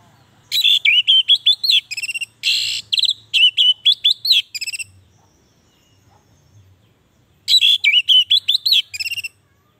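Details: Orange-headed thrush song played to encourage silent captive birds; two long rapid phrases of varied whistles, trills and harsh buzzy notes, separated by a quiet gap of a few seconds with low background hum.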